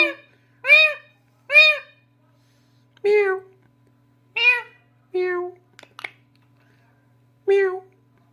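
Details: Parrot indoors copying a cat: seven or eight short, bright meow-like calls, rich and nasal, spaced unevenly, with a few quick clicks midway and a faint low hum throughout.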